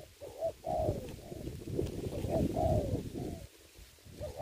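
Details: Spotted dove used as a ground decoy for trapping in Vietnam during the Covid season: a series of mellow coos, some with drawn-out falling notes, over heavy low rumbling and rustling.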